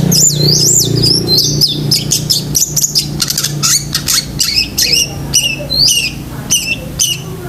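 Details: Long-tailed shrike, 'gacor isian' singing meant for training pet shrikes: busy mixed medley of high squeaks, sliding whistles and harsh chirps, fast and irregular, with background hum.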